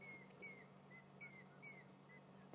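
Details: A large flock of African grey hornbills at sunset on 29 May 2016 in Sabi Sand, mobbing an eagle alongside fork-tailed drongos, giving thin, plaintive whistled notes, each dropping slightly, two to three per second over a low hum.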